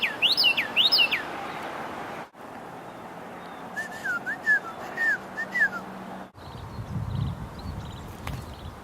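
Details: Carolina Wren in winter (21 December 2013), west side of the Connecticut River near Springfield, Vermont, between rain storms. It gives two loud high whistled phrases, then five rolling, slurred whistled notes at a quick, even pace, with faint chips and breeze behind.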